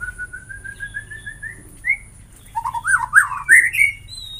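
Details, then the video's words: A white-rumped shama in song, offered to get all kinds of shamas singing: a soft, evenly spaced series of short whistles, then a louder burst of varied rising whistled notes and chips. "Semua jenis murai batu bakal gacor dengan suara ini"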